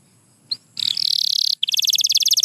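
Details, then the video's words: White canary giving a short burst of song: a single high chip, a buzzy rattling trill, then a rapid bright high trill, over faint low background noise. "Beautiful Chirping by a Pure White Canary"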